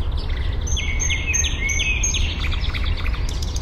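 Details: Eurasian penduline tit at Fysingen, Uppland, Sweden, gathering material for a nest that is still only a ring high in a birch; a series of drawn-out thin whistles, roughly every half second, over low background hum, recorded with a parabolic microphone.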